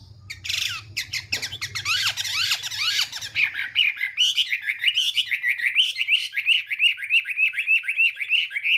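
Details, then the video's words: Chinese hwamei singing in the morning during voice training: opens with harsh, noisy squawking bursts over a low hum, then settles into rapid repeated whistled notes with a rising, wavering pattern. "Hoạ Mi Hót Đấu /hoạ mi hót sáng luyện giọng kich bổi sổ giọng chim hót hay mỗi ngày/"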